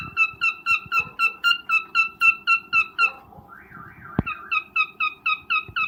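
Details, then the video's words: Breeding cockatiel giving its mating call: bright whistled notes repeated rapidly and evenly, pausing briefly past the midpoint where a sharp click sounds, then resuming the same quick rhythm. "Cocktail mating call/sound"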